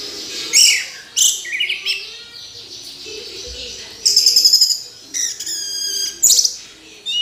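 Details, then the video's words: Orange-headed thrush singing a varied medley of high whistles, downslurred notes and fast trilled rattles, with phrases of different lengths spread over several seconds. "Anis Merah Kicau Sampai Teler"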